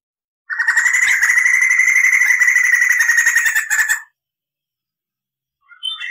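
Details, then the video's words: Lively crested laughingthrush, recorded as a tutor for cage birds, delivering a long clear roll: a rapid, evenly pulsed trill lasting about three and a half seconds, followed by silence and a faint final note. "SUARA MASTERAN POKSAY JAMBUL GACOR NGEROL"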